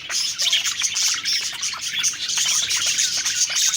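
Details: Several budgerigars singing happily while eating: a dense, continuous chorus of rapid high chirps, warbles and scratchy twitters overlapping throughout.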